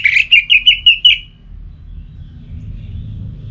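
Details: Orange-headed thrush 'pacingan' song used to stir a caged bird to sing, Singaraja, Bali: seven quick, bright whistled notes in a rapid burst, then a low background hum.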